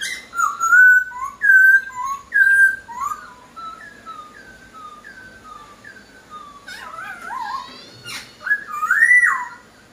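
A Hwamei sings loud, clear whistled phrases: slurred rising and falling notes repeated about once a second, then a richer, varied burst near the end.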